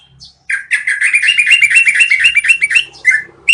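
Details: Rolling song of a Yellow-vented bulbul, training audio for cage birds: a fast, continuous run of bubbling whistled notes racing for over two seconds, ending in a lone downslurred note.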